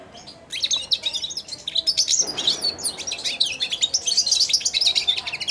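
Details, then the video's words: Young caged European goldfinch, four months old, singing subsong beside and on a hand while being hand-fed; rambling continuous twittering of high, rapid chirps and trills, with a brief broadband rustle midway. "καρδερινούλα κελαηδάει δίπλα στο χέρι αλλά και πάνω σε αυτό!"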